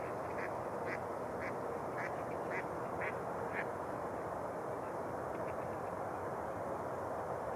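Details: Mallards on Rush Lake, New Brighton, Minnesota, with open water in February: six or seven short nasal quacks in the first four seconds, then a couple of faint ones, under a steady hiss of background noise.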